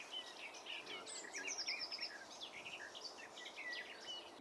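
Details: Garden warbler singing in the Zouweboezem wetland, Netherlands, the first of the year for the observer; rapid stream of varied high chirps and short whistled notes, continuous over several seconds against steady background noise.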